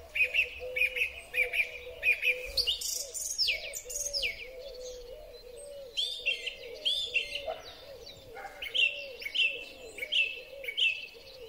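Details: Springtime song thrush, captured on a Huawei P30 Pro: a short phrase repeated three times, then a burst of varied fluty and scratchy notes, then more repeated whistled phrases, over a continuous low cooing in the background.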